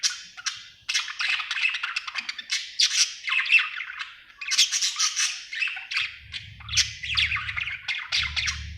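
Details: Continuous chattering warble from a happy budgerigar, fast scratchy twitters and squeaky notes running almost without pause, with a low hum entering in the later seconds.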